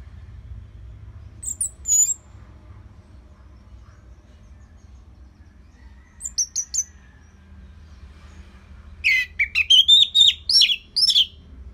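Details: Orange-headed thrush, a caged songbird from northern Bali, Indonesia, kept for training other birds; short bursts of high thin notes, then a rich run of varied whistled and chattering phrases near the end, with a low hum beneath.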